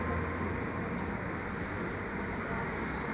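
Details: Newly hatched saffron finch chicks in the nest begging: a run of short, high, hissy bursts repeated about twice a second, climbing toward the end, over a steady low rumble of background noise.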